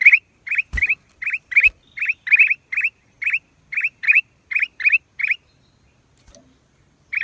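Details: Black-crested bulbul, April 2023, repeating quick upward-flicking chirps roughly twice a second, broken by a couple of dull thumps near the start, then a silent gap before a final chirp.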